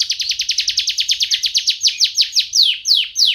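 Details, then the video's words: A canary sings a fast, bright roll of about seven quick down-slurred notes a second, then slows into a few longer, sweeping whistled notes. "Suara Kicauan Burung Kenari Juara"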